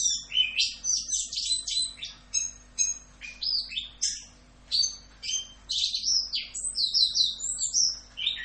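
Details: Energetic "Rock'n Roll" tutor song of an Orange-headed thrush: long rapid sequences of high chirped and whistled notes, repeated motifs and trills, with one short pause midway.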